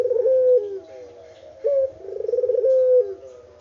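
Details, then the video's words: Unedited recording of a local spotted dove calling: a soft rolling coo leads into a clear sustained note that slides downward, then the pattern starts again. "BURUNG PUTER LOKAL GACOR ISTIMEWA"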